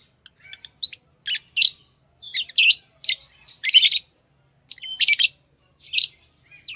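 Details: Lovebirds twitter with sharp high chirps roughly every second or two, some doubled, against an otherwise quiet background.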